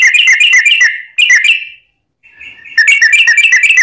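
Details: Sooty-headed bulbul in full song, used to provoke other bulbuls to answer: bright rapid chattering whistled notes in dense bursts, a short silent gap, then a level whistle leading back into fast bubbly phrases.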